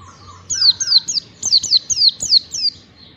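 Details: Oriental white-eye master song used to prompt caged birds to open their beaks and sing. A short, softer two-note whistle leads into eight bright, high, downward-sweeping chirps in quick succession.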